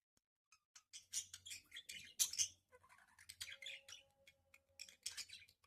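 Budgerigars give harsh, scratchy squawks and rapid chattering bursts, an angry scolding exchange.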